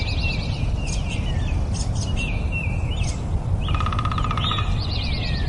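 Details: Nightingale singing: repeated sliding chirped phrases with sharp high clicks, then a loud buzzy pulsed rattle near the end followed by fast trilled notes, over a constant low rushing noise.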